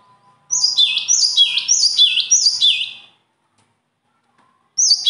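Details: Bird song in loud, high bursts: a fast string of repeated two-part phrases, a sharp upper note dropping into a lower swooping note, about three per second for two and a half seconds, then silence before a new burst starts.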